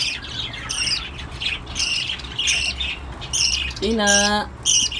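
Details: Cockatiel, possibly during mating, giving repeated short, high chirping calls, with one lower, harsher squawk near the end.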